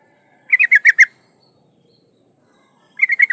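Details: Breeding-condition yellow-vented bulbul female calls a male with a burst of five bubbly, slightly falling notes, then a shorter run of four after a pause, over a constant faint high hum.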